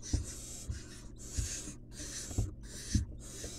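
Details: Begging hisses from a young wild barn owl at a nest box during a rat feeding. The rasping, noisy bursts repeat steadily, broken by brief silences, over soft bumping sounds.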